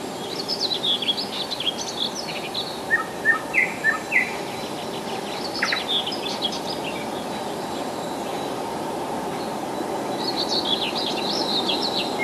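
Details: Rassudovo, forty kilometres from Moscow, July 2011: a common nightingale delivers high chirping phrases, a short burst of four or five punchy repeated notes, then quieter twittering that fades against a steady background hum.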